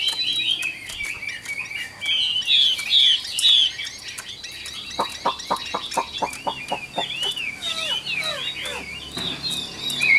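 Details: Caged wild-caught adult Chinese hwamei singing loud, varied whistled phrases that slide and warble high, some notes repeated in quick runs; a series of sharp dry clicks or taps sounds underneath midway.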